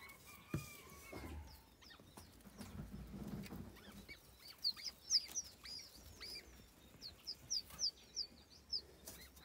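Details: White eared pheasant chicks give thin, high, rising peeps in a quick irregular series. The peeps come after a stretch of handling noises and low rumbling.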